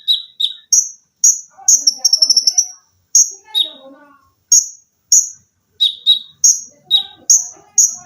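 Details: Olive-backed sunbird singing in a cage-bird training recording, styles called dense 'tembakan', 'mesin jahit' sewing-machine trills, shrill 'lengkingan' and 'besetan'. Sharp high chirps alternate between two pitches, with a rapid stuttering burst near two seconds and faint softer notes below.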